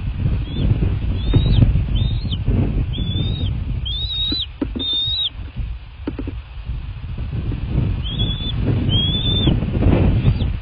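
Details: At a bald eagle nest in southwest Florida, late evening of 23 February 2024, thin piping whistles with arched, slurred shapes repeat in loose runs under strong low-pitched wind-like rumble.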